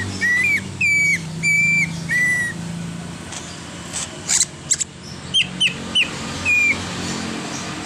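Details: A greater green leafbird in a song packed with mimicked phrases, one imitating a car horn. Four long, steady, loud whistles come in a row, then after a gap a quick series of short down-slurred whistled notes.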